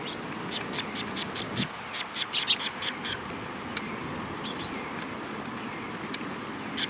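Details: Several sparrows arriving to be fed at Mizukami Bridge on 18 May 2021: a fast run of bright, short chirps, many in quick succession over the first three seconds, then a few scattered notes over steady low background hum.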